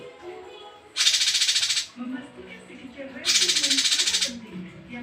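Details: Male cungko singing, presented as rich varied song for tutoring other birds: two coarse, buzzy rattles made of quick pulses, each about a second long, with a low murmuring background between them.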